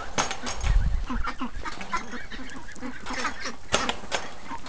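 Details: Early-morning chorus from free-range ducks, many harsh nasal quacks tumbling over one another, with a thump and low rumble near the start.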